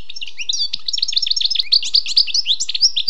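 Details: A wild European goldfinch sings a continuous, fast, tinkling twitter of high slurred notes that grows louder and brighter toward the end and runs for about three seconds.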